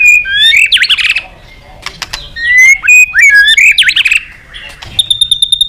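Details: White-rumped shama singing while calling a rival: rich, varied whistled phrases that swoop up and down, some quick warbled trills, short gaps, then a steady high buzzy note pulsed rapidly at the end.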